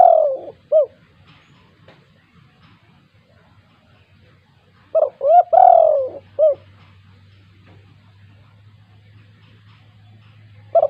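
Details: Lively 'kuk 2' coo phrases of a spotted dove meant to provoke lazy doves: mellow hooked and drawn-out falling notes repeated in phrases separated by several seconds of quiet, with a low steady hum.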